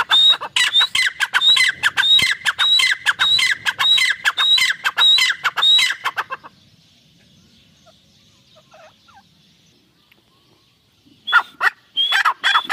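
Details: Irani teetar (francolin) pair calling loudly: a long, steady series of harsh notes, each with a high whistled slur, for about six seconds, then a quiet pause and renewed calling.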